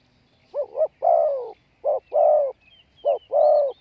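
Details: Decoy spotted dove cooing to lure wild doves: three repeated phrases, each a short double-humped note followed by a longer, drawn-out lower coo, evenly spaced in a quiet setting.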